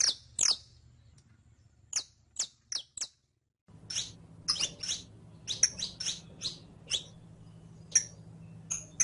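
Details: Tutor song of a saffron finch, the canario criollo, meant for training captive birds: bright, high chips at irregular intervals, with a short silent gap and a steady low electrical hum underneath.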